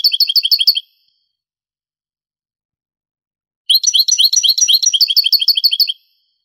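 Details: Granada-style European goldfinch song from a 1980s–90s Spanish cassette copied to CD: a brief burst of rapid, ringing trilled notes, a pause of about three seconds, then a longer tinkling run of quick repeated chirps.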